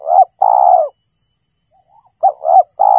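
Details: Spotted dove (tekukur) call played to lure birds; a long falling coo closes one phrase, then after a pause two short notes begin the next and a further coo starts, over a thin steady high-pitched hum.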